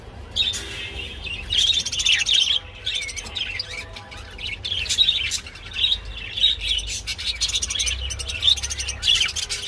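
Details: Budgerigars while mating give a lively chirping warble with clicks and short squeaky whistles in bursts separated by brief gaps, softer low rumble below.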